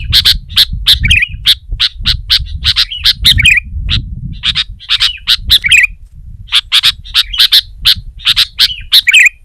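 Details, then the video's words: Sooty-headed bulbul singing to dominate a rival, with other bulbuls roused to join; quick series of sharp chips and harsh squawky notes interspersed with bubbling warbled phrases, a short pause midway, low rumble beneath. "Suara Burung Kutilang Gacor Menekan Lawan Terbaik || Burung Kutilang Lain Emosi Dan Ikut Gacor"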